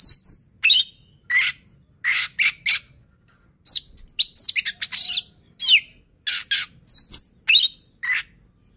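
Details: Oriental magpie-robin song played to get other birds singing: a series of separate short phrases mixing clear whistles, downslurred notes and rough, buzzy calls, delivered in uneven bursts.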